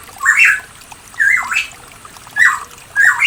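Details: Pitohui recorded in the mountains of East Java, Indonesia, used as a lure to get a silent bird singing: loud, harsh, squawky phrases with rising and falling slurs, four repeated roughly once a second, over a faint background hiss.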